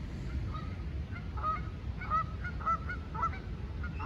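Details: Canada goose honking during an attack on a lost gosling: short nasal honks come roughly twice a second, some louder and rising, over a low background rumble.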